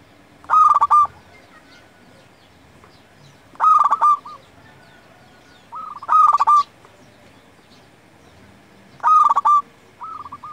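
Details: Local Zebra Dove song for luring wild doves and tutoring quiet ones: four strong, evenly spaced stuttering coo phrases, each followed by a brief softer rolling coo.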